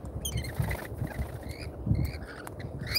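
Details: Lorikeets visiting a feeder in Australia, filmed live: short, harsh, harmonic squawks come in quick bursts, with low rumbling and tapping sounds underneath.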